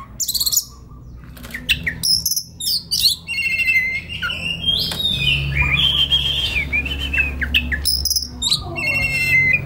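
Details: Oriental magpie-robin (kacer) in relaxed, konslet-style singing for training young forest birds; scratchy high phrases, sustained warbling whistles and scattered chirps over a steady low background hum.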